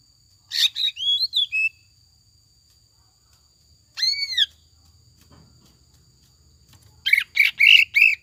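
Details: Ngekek jamtrok lure song of a greater green leafbird with tengkek buto phrases: a burst of rapid notes with curved whistles, a lone arched whistle after a pause, then five quick harsh chirps.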